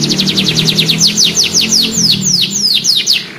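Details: Young canary learning its song, replying quickly: a rapid train of high descending notes that gradually slows and spreads into longer, deeper sweeps, over a low steady hum.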